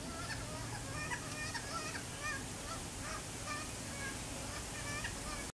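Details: Wailing, arched calls of a yellow-tailed black-cockatoo perched in a eucalyptus in urban Sydney, recorded from a backyard, repeating steadily about every half second under constant low hum and background noise.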